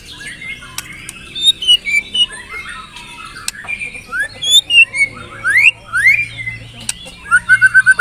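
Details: Lure recording of White-rumped shama song meant to prompt other shamas to sing: varied twittering phrases, then clear upward-sweeping whistles and a quick trill of repeated notes near the end, over faint background hum.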